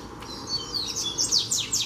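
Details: Double-collared seedeater, free bird coming close to challenge a caged bird: short burst of high, clear whistled notes followed by quick repeated downward-sweeping slurs.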